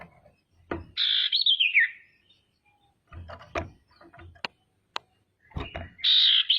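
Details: Female common iora calling to draw out and agitate rivals; a coarse stuttering phrase gliding downward, a pause filled with clicks and knocks, then another harsh burst beginning at the end.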